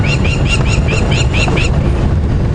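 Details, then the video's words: On a morning safari drive at Djuma Game Reserve on 20 November 2015, upset crowned lapwings, probably with a nest nearby, give shrill, arched alarm notes about four a second, then stop, over a low vehicle engine rumble. "And you can hear the crowned lapwings very upset. They've probably got a nest around here."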